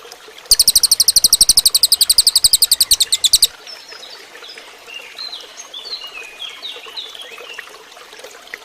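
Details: A cililin bird's fast, shrill trill of evenly repeated high notes for about three seconds, recorded for training other birds, followed by quieter, varied chirps and twittering from other birds in the background.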